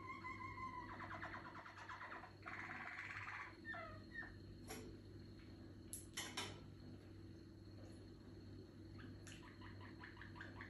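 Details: Young Malinois canary with its song still maturing: fast rolled trills at a moderate pitch, broken by sharp metallic clicks and clatter like dishes, over a steady low electrical hum.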